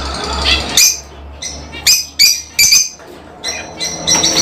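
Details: Lovebirds giving harsh shrill squawks in separate bursts with short quiet gaps, a few squeaky chatters between louder calls, and a low hum at the start.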